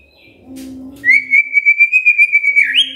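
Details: Magpie-robin singing to coax a quiet bird into song: after a low murmur, a long level whistled trill pulsing about six times a second, ending in a quick upward flick.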